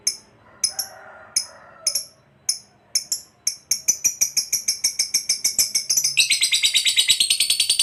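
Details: Lovebird giving a long chattering ngekek song meant to draw answers from other lovebirds: shrill, high metallic chips that start spaced, then speed into a dense, steady rattling trill, growing louder toward the end.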